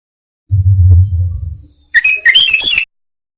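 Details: Sooty-headed bulbul call used as a lure for trapping wild bulbuls: a low hum fades out, then a brief burst of bright, bubbly chirping notes rises and falls quickly for about a second.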